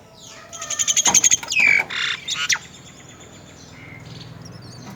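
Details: Myna young at the nest give harsh, rasping begging calls in a rapid burst of about a dozen notes as the mother feeds them, then a few squawks and one high thin whistle, then quiet background hiss.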